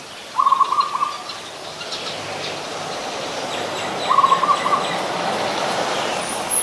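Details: Zebra dove, an adult, at Ubon Ratchathani, Thailand, on 24 December 2020: two quick rattling strings of clipped coo notes on one level pitch, separated by about three seconds, over soft background hiss and distant bird chirps.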